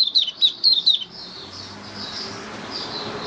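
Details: Caged white-eye recorded 18 May 2022 after deworming treatment: a brief run of four high, down-slurred chirps in the first second, then only faint distant twittering over a low background hiss.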